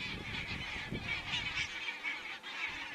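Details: Geese recorded by a crane webcam in Estonia on 27 September 2017: a dense, continuous chorus of overlapping nasal honks from a large flock, with low rumbling noise underneath.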